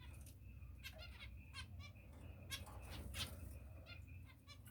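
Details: Finches giving brief nasal, toy-trumpet-like calls in quick irregular bursts, with rustling and wing-flutter noises over a low background hum.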